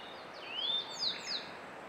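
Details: Grey bunting song phrase from May 2022, captured on a Canon EOS R5: a pure upslurred whistle holding steady, then a pair of brief falling high notes, with faint other bird calls behind.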